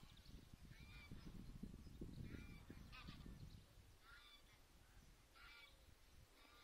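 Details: Recently hatched greylag goslings at Lake Neusiedl, heading to the water under guard of adult geese, give short, thin, high peeps in loose bursts every second or so over a low rumble of wind or water.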